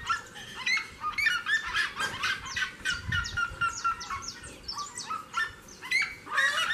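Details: Seriema singing near a house door: a loud, dense run of harsh yelping notes with stacked overtones, each stroke dropping in pitch, pouring out about twice a second with a rough, chattering feel.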